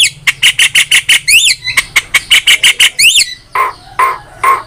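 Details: Javan myna master song used to train other songbirds: a fast run of about a dozen harsh, repeated squawking notes, broken by bright zigzag whistles, then three lower, hoarse calls.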